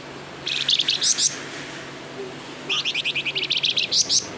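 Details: White-shouldered triller (flamboyan) singing actively, a song used as a lure to prompt other caged birds to reply: two bursts of sharp, high chirped notes, a short cluster near the start and a longer evenly repeated series of about a dozen notes later, over faint hiss.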